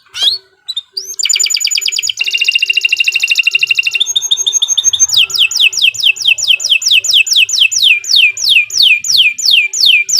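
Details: Canary singing long and steadily, used to prompt other canaries to sing: rapid rolling trills changing pitch, buzzy stretches, then a series of clear whistles sweeping downward, repeated evenly, with a soft ticking in the background.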